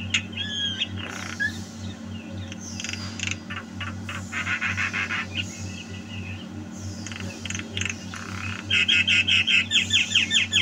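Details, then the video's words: Javan myna singing vigorously, recorded in 2022: buzzy harsh bursts and scratchy notes, then a fast run of repeated sharp chirps near the end, over a steady low electrical hum. "Suara Burung Jalak KEBO Gacor"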